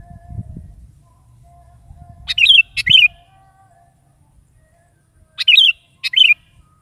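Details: Morning song of a sooty-headed bulbul used to lure a kept bulbul to sing: two pairs of short, bubbling warbled phrases about three seconds apart, with a low rumble and a faint steady tone early on.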